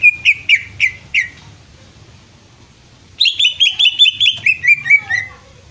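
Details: Greater green leafbird, known locally as cucak ijo, giving four quick falling chirps, a pause of two seconds, then a rapid bright twittering series of about a dozen descending whistled notes.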